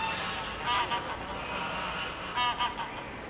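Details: Ring-billed gull (Larus delawarensis) recorded in February 2013 at Parque Isabel La Católica, Gijón, Asturias, Spain: two bursts of short, nasal, honking cries about a second and a half apart, set against constant broadband background noise.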